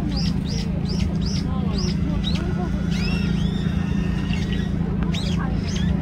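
A brown-eared bulbul gives a quick run of thin, arched whistled notes, then a few longer shrill upslurs, over a steady low traffic rumble.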